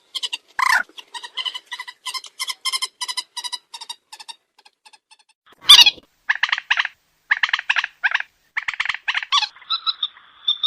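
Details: A common moorhen call recording meant for night luring gives rapid runs of short, nasal, clucking notes in bursts, then a loud harsh squawk and more chattering series.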